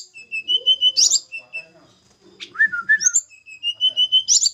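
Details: Javan snowy-browed flycatcher being paired with a mate: thin, steady high whistles strung in short runs, interrupted midway by a lower slurred twisting phrase, then more level piping notes.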